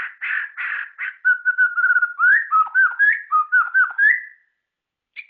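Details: White-rumped shama, known locally as murai ceram or murai batu, singing a varied phrase. A few rough notes lead into a fast string of clear, slurred whistles that dip and rise, then one short high whistle after a brief pause.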